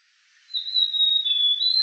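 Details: A male White-tailed flycatcher in submontane Malaysia in July 2024 gives a thin, high, drawn-out whistle that holds nearly level for over a second, dipping slightly before lifting again at the end.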